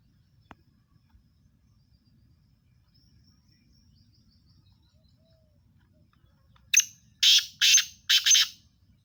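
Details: Black francolin, known locally as Sindhi teetar: after a long quiet stretch, a loud harsh call bursts out near the end, five rasping, grating notes in quick succession, the last pair run close together.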